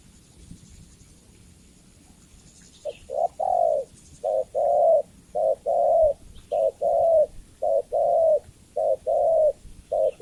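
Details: Female spotted dove calling for a male, starting after a few seconds of background hiss, then a steady run of paired coos, each a short note and a longer falling one, about once a second.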